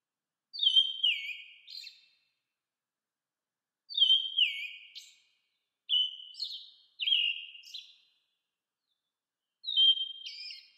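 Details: American robin calling: clear descending whistles with buzzy endings, repeated in five phrases a few seconds apart, each clean against silence.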